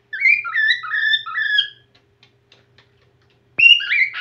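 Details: A whiteface cockatiel returning to song gives a clear whistled phrase of several sliding, falling notes, goes quiet for nearly two seconds, then starts a new rising whistle.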